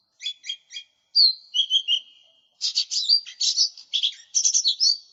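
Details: Actively singing lesser green leafbird in a lure and tutor recording: three quick stuttered chirps, then whistled slurred notes, then a dense run of rapid varied chirps and whistles, on a clean, quiet background.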